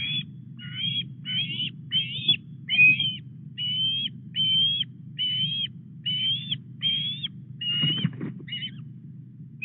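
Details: Osprey at the Llyn Clywedog nest in Wales, 4 August at 09:33, as a male delivers a headless fish to a young bird; high whistled calls repeated about twice a second, slightly rising, over low steady background rumble.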